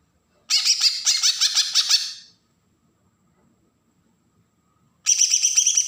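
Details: Bornean green leafbird from Kalimantan in agitated besetan song, used to provoke young birds: nearly two seconds of fast, harsh, stuttering high chatter, a long silence, then a fresh buzzy burst begins.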